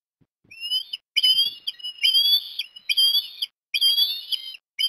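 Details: Breakfast fish feeding of an osprey chick at Port Lincoln, Australia, 17 December 2021; repeated high whistled calls, each slurring and wavering, coming roughly once a second in short runs.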